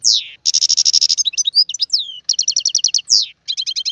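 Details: Trained singing goldfinch performing the tiwawati song style: bright buzzy trills of rapidly repeated high notes, broken by quick downslurred whistles and twittering phrases.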